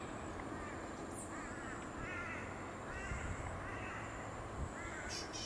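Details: A noisy miner (Manorina melanocephala) at Ipswich, Queensland, in April 2022 gives harsh, grating calls in short bursts about once a second, over a steady high hiss and a low background rumble.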